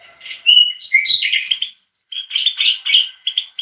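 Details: European goldfinch song, heard alongside bulbuls: a continuous, rapid, high-pitched twitter of mixed chirps, liquid notes and buzzy trills with hardly any pause, clear and close.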